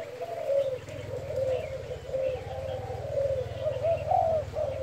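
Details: Spotted dove in gáy thúc and thúc gù cooing: a continuous string of soft, wavering coo notes, slightly rising toward the end, over a persistent low mechanical hum.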